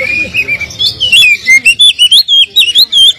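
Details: Kacer (Oriental magpie-robin) lure song meant to provoke a less spirited kacer into answering: rapid high whistled notes and twisting slurs, growing into loud, evenly spaced chirped bursts after the first second, over faint low murmuring.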